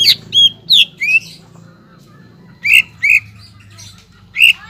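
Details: Greater green leafbird song used as a lure to raise other leafbirds' urge to sing: bright upslurred whistles in pairs, separated by quiet gaps, with faint low background hum.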